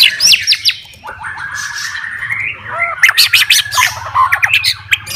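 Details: White-rumped shama, a fighter bird singing to provoke rival shamas, gives harsh rasping notes and a drawn-out buzzy slur, then sharp clicking and whistled fragments over a constant low hum.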